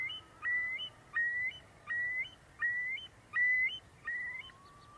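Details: Eurasian curlew in spring, the breeding season, on meadows and moors; a musical sound at once happy and sad, blending major and minor keys. Six clear whistled notes, each rising then leveling, repeated about every three quarters of a second over faint background hiss.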